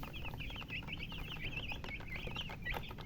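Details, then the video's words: Baby chicks chirping: a dense chorus of rapid, high peeping notes from many chicks, overlapping continuously against steady low background noise. "Baby "Chicks Chirping" Sound"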